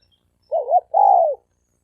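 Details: Spotted dove males challenging each other to fight; a single mellow cooing phrase, a wavering double note followed by a long even coo that drops at the end, clean with no other sounds.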